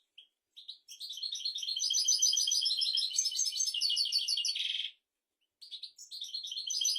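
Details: European goldfinch song meant to train goldfinches and canaries: a long, lively four-second stream of rapid tinkling twitters and buzzy notes ending in a harsh burst, then a pause and renewed twittering.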